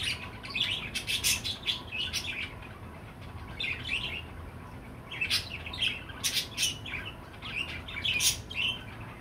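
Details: Chirping pet budgerigar, bursts of rapid high tweets and short warbles alternating with brief pauses, the busiest stretches near the start and middle, over a quiet hum.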